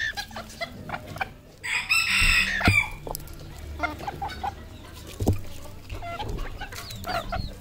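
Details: A village decoy junglefowl crows once, a strained, harsh call of about one second. Scattered clucks, taps and low thumps are heard before and after it.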